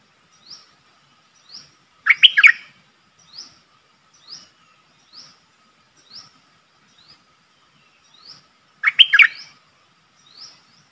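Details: Decoy streak-eared bulbul calling to draw in a wild flock: two loud bursts of rapid, scratchy, chirping calls about seven seconds apart. Soft, high, upslurred notes repeat roughly every second throughout over a faint steady hum.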